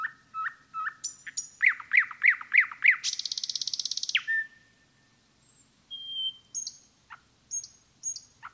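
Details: Nightingale in woodland: short whistled notes, a run of five looping rising chirps, a fast buzzing rattle, then high sustained whistles with pauses between.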